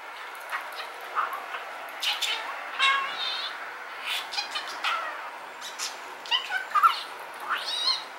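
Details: Pet male rainbow budgerigar talking quietly, recorded from afar with a telephoto zoom: mixed scratchy warbles, buzzy harmonic notes and short clicks in loose phrases, with a low steady background hiss.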